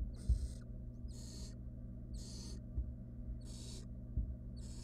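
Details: Barn owl nestlings in a wild nest box as a female brings prey, a rodent swallowed fast by one chick. Five drawn-out hissing screeches, evenly spaced about a second apart, with occasional soft bumps.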